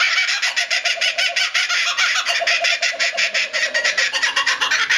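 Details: Captive laughing kookaburra at Higashiyama Zoo, Japan, 25 May 2011, sounding truly like laughter: a loud, continuous stream of rapid, raucous cackling notes pulsing several times per second without a break.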